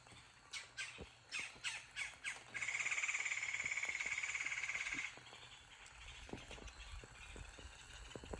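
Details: Woodpecker in a deciduous wood gives six harsh, scratchy calls, then a rapid, even rattle lasting about two and a half seconds; light wind thumps follow.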